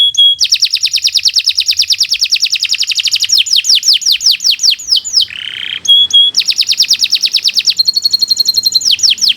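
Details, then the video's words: Canary, Kenari Nusantara, in extended gacor song for teaching young birds: long rapid trills of sharply falling notes, a brief lower rolling burble, then more fast trills and a steady high chipping tour. "Kicau Burung Kenari 116 II GACOR PANJANG"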